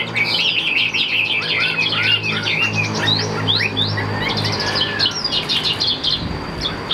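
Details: Caged Chinese hwamei offered by a bird seller, singing a dense run of rich whistled phrases, many slurred up and down, tumbling on without pause, over a steady low hum in the background.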